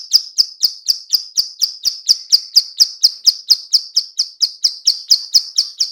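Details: Female bar-winged prinia repeating a clicking call used as a lure: a long, steady series of sharp high-pitched ticks, roughly four a second, on a clean background.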